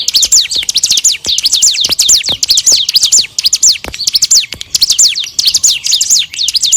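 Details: Steady bar-winged prinia song, a tutor track for other songbirds: repeated groups of quick, downward-swept piercing chirps, packed closely together for the whole stretch.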